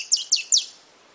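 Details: Three high, sharp descending chip notes from a brown saffron finch, spaced about a fifth of a second apart, then quiet.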